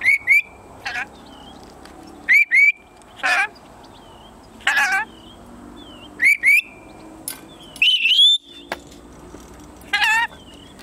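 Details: A ten-month-old male red-collared lorikeet, a talking pet, gives bright, sharply rising whistled chirps mixed with short, scratchy speech-like bursts, roughly every second or two, in a quiet room.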